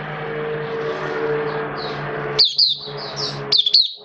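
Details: Caged oriental white-eye, hobby songbird, 11 September 2022: two brief bursts of high, sharp chirps rising above a steady low rumbling background noise, with faint soft twittering before them.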